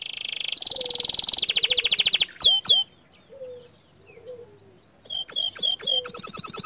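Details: Bottle-green canary singing a master song of 'tembakan' bursts said to stir up other canaries: a steady buzzy trill breaking into rapid pulsed notes, sharp downslurred chips, a quiet gap, then more loud sweeping chips.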